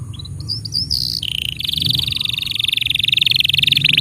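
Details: Canary training song for young birds and non-singing canaries. A few high rising whistles lead into a long, rapid, pulsing buzzy trill that keeps a steady pace over a noticeable low background hum.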